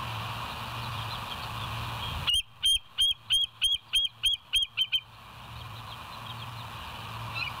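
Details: A bald eagle at the West End nest, filmed by live camera on 07/09/2023 at 06:24, gives an evenly spaced series of about nine high, squeaky whistled notes, roughly three per second, between stretches of low hum and hiss.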